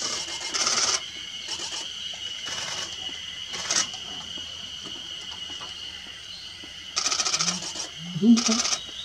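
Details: A Japanese pygmy woodpecker in Hokkaido, Japan, in 2019 gives dry, buzzy rasping bursts, some nearly a second long, at irregular intervals over a steady high hum, with faint low sounds near the end.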